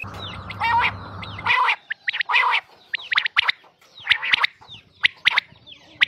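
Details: Quail calls from a Mianwali hunting cassette: sharp, high clipped notes and short buzzy bursts repeated roughly every second, over a low hum at the start.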